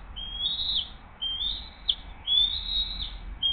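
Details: From the Hays bald eagle nest camera, morning of 20 June 2023, as the adult female feeds her eaglet: thin, rising whistles, about four over three and a half seconds, drawn out and ending sharply.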